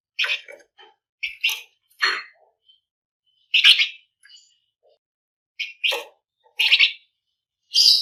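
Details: Flamboyan bird singing energetically as a lure for other birds: loud sharp chirps and short buzzy bursts, grouped in twos and threes, separated by brief silences.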